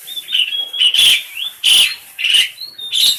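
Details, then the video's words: Noisy pet black-collared starling, tame and kept to teach other starlings, giving receh song: loud rasping bursts alternating with clear whistled slurs, roughly one burst every half second. "Suara jalak uren receh jinak.. cocok untuk masteran"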